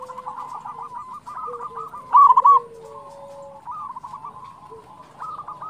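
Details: Local zebra dove song, used to prompt other doves to sing: soft, rapid cooing trills near one pitch, broken into short bursts, with a louder trilled phrase midway and a lower steady cooing line beneath.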